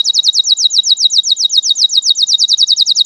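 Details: Canary lure song for young canaries learning to sing: a rapid, evenly repeated high trill of short notes, roughly eight per second.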